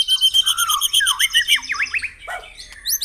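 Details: White-rumped shama song, a morning track played to stir caged birds into singing: loud whistled notes and swooping down-slurred phrases beneath a fast, evenly pulsed high trill, with short gaps between bursts.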